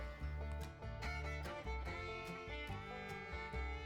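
Bright string-band music with fiddle and guitar over a steady beat; no animal is heard.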